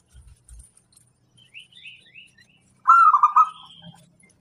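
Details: Local wild-type zebra dove singing one short burst of fast, rolling, cooing trilled notes in the second half, preceded by faint high chirps from other birds and a few soft thumps.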